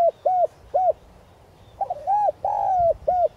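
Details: Decoy spotted dove calling to lure wild doves in the 'son' voice: several short arched hoots, a stuttering note, then a long drawn coo and a final short hoot, steady and loud.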